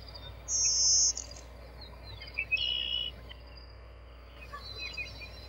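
A Blue-winged Warbler gives its two-part buzzy song: a high, thin buzz, then a lower, rougher one, over faint background hiss.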